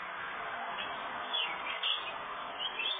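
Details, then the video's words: A red-headed house finch feeds its nestlings, which give a steady, dense, scratchy chatter of begging calls with a few sharper high squeaks as food arrives. "Red headed house finch feeding babies"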